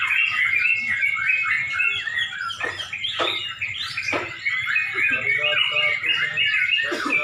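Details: Sooty-headed bulbuls singing together at a bird song contest in Pemalang, Indonesia, near dusk: a dense, continuous chorus of bright, bubbling, chattering phrases that overlap without pause, with short sharp notes cutting through.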